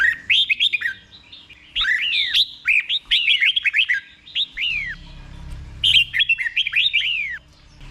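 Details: Red-whiskered bulbul song for teaching caged birds: three phrases of rapid whistled notes, several sliding steeply downward, with pauses between, in the slow clear Thai doubled style.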